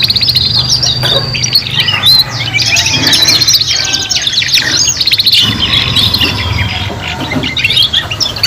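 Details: Three young canaries in joint song practice, producing long rolling trills and sustained high warbles with scattered sharp chirps, overlapping phrases and a soft low hum in the background.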